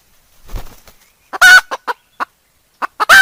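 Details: Decoy hen giving the kataak cackle: a soft rustle, then a loud harsh squawk, several sharp clucks, and a second loud squawk at the end.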